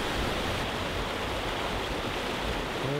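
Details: Steady rushing water, like a stream or waterfall, fills the whole recording. No animal voices are heard.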